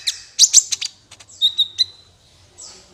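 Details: Sunbird, known locally as kolibri ninja, in a lure recording used for trapping birds: a burst of sharp, very high chirps followed by a thin sustained whistle and a faint high note at the end.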